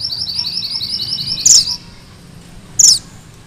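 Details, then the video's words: High, rapid rising notes from a Sunda bush warbler in its 'ngerol' rolling style, ending in a loud, sharp, falling chip, with a second chip after a quiet pause. "Suara MANTENAN GUNUNG MERAH GACOR"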